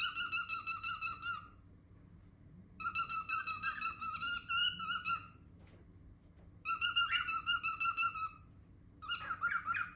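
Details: Four separate bouts of loud, rapidly pulsed harmonic whistling from a pet cockatiel, each lasting one to two seconds with quiet gaps between, some notes warbling up and down, heard indoors.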